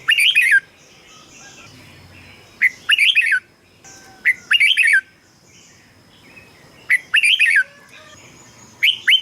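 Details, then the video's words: Red-whiskered bulbul song for decoy use or for rousing caged birds: four quick phrases of bubbling whistled notes roughly two seconds apart, with faint twittering between phrases. "เสียงนกกรงหัวจุก สำหรับต่อ หรือ เปิดให้นกคึก เสียงเพราะๆ"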